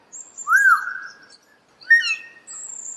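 A common hill myna gives two loud, arching whistles about a second apart, each with a thin, very high squeaky note, over a quiet background.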